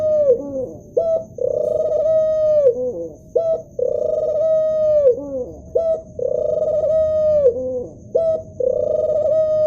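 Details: Male ring-necked dove cooing: a short rising note followed by a long, steady, drawn-out coo that droops and fades at its end, the pattern repeating about every two and a half seconds, four phrases in all, with a faint steady tone behind.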